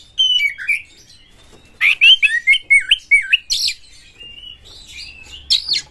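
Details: Aggressive Oriental magpie-robin, kept as a songbird, singing to stimulate other magpie-robins: clear varied whistles sliding up and down, then a fast run of loud rich whistled phrases and a few harsh buzzy notes, with pauses between.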